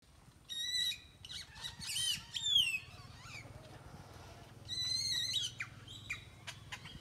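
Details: Many birds singing together in a tropical tree in Nayarit, Mexico: overlapping whistled phrases, chirps and squawky notes in bursts, with a steady low hum beneath.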